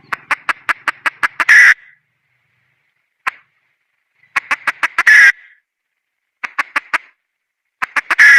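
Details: Wild red junglefowl hen giving quick series of clipped clucks that speed up into a loud, rasping squawk, repeated three times with silent gaps and a lone cluck between.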